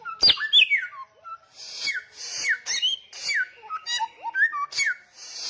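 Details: Loud, persistent samyong song opening with a sharp high note, then downward-sliding whistles alternating with raspy noisy bursts, interspersed with short mid-pitched whistled figures and rising slurs.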